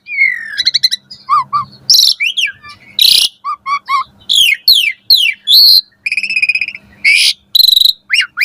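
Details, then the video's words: Asian pied starling singing at morning for tutoring caged birds: a falling whistle, paired low hooked notes, loud harsh bursts, rapid falling strokes and buzzy trills, all fairly loud and close. "Pancingan Jalak Suren Gacor Pagi Hari Ampuh Buat Masteran Burung Jalak Agar Gacor Full Isian Mewah"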